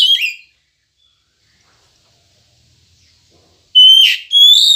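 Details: Oriental magpie-robin song played to coax caged birds into singing in the morning: the tail of one phrase, a long silent pause, then a new loud phrase opening with a harsh burst and a clear level whistle.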